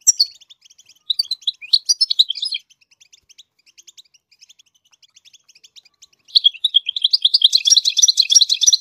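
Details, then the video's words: Goldfinch song that teaches the chicks: a few twittered phrases, then several seconds of soft regular ticking, then a dense, fast, buzzy twittering song building to the end. "the goldfinch sings to teach the chicks to song chirp"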